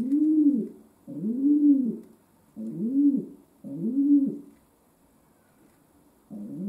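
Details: Pet domestic pigeon performing a cooing 'concert': four deep, arching coos in quick succession, a pause of almost two seconds, then another coo starting, over a low background hum.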